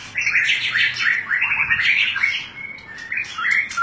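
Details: White-rumped shama, known as murai batu, singing in fighter style. The phrases are quieter and jumbled, with scratchy warbles and short whistles against a noisy background.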